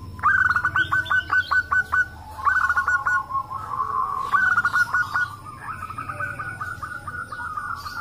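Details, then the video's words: Chorus of local zebra doves answering each other, meant to coax other doves into calling; close, loud bursts of fast stuttering notes roll into level trilled coos, repeated in phrases a second or two long. "pancingan perkutut lokal agar bunyi - suara rame emang paling ampuh"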